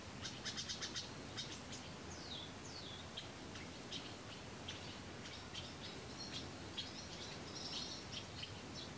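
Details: Barn swallow nestlings in their nest at Kırcaali, Bulgaria, giving a busy stream of high thin chirps and short descending squeaks, some in quick bursts, against a constant low background rumble.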